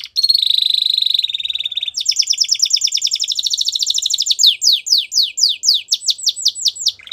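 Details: Spanish Timbrado canary training song, opening with a sustained ringing trill, shifting into a fast rolling series of clipped notes and ending with a run of sharp descending whistled sweeps repeated several times a second.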